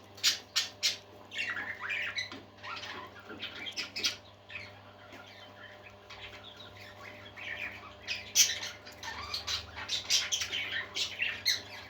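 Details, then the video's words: Happy pet parakeets singing: sharp clicking squeaks in quick series alternate with softer rambling warbles and chirps, the chatter building again toward the end, with a quiet background hum. "Happy Parakeets Singing"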